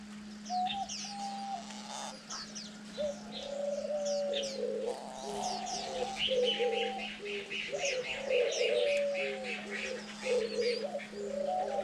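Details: Diamond doves, parents rearing chicks on day 9 and competing to feed them, give soft, low coos in short repeated phrases, with high thin chirps from other small birds and a steady electrical hum.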